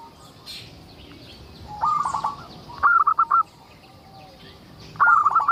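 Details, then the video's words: Zebra dove, a local bird singing strongly, recorded to coax other zebra doves into song; three short phrases of quick, bubbling trilled coos, each a rapid stutter ending in a held note, spaced about a second and a half apart. "Suara indah perkutut lokal gacor untuk pancingan"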